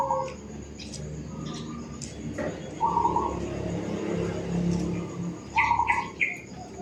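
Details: Zebra dove singing in a suburban housing area: soft, rolling trilled coos, each about half a second long, repeated three times, the last with higher chirping notes on top, over a low background hum.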